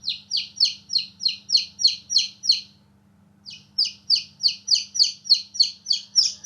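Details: Baby chickens, newborn and playing outside, peep steadily in sharp descending chirps at about three per second, broken by one brief silence; a soft background hum persists throughout.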